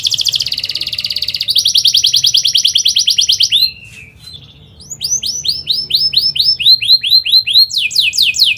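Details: Atlantic canary in vigorous, dense rolling song with 'cuit cuit' notes, meant to stimulate young canaries learning to sing; a fast buzzy trill runs for three seconds, a brief quiet pause follows, then loud sweeping slurred notes and another rapid rattle.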